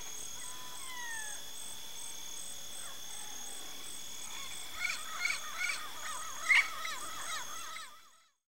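Yellow-faced parrot giving a burst of short, harsh notes that bend up and down in quick succession, over a steady high insect drone and a few thin whistles.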